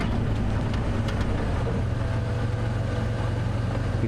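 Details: A vehicle engine idles with a continuous low rumble and faint rattling ticks, and no animal voices stand out.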